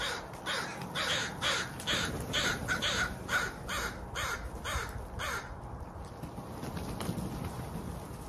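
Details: Crow calling a long series of clipped, harsh caws, around a dozen spaced evenly about half a second apart, fading out toward the end over low background noise.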